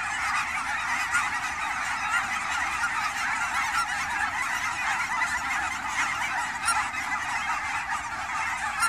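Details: Canada geese during fall migration at the ponds of Fern Hill Wildlife area near Forest Grove, Oregon, in the Willamette valley; a dense, continuous chorus of overlapping nasal honks from many birds at once, with no pause throughout.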